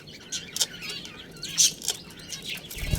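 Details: Budgerigar colony including a breeding pair: faint, thin warbling chirps and a few sharper squeaks, ending in a low thump.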